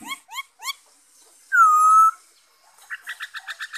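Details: Black-throated laughingthrush, recorded 5 May 2021, gives three quick upslurred notes, then a long loud level whistle, then a fast run of short repeated chirps about eight times per second.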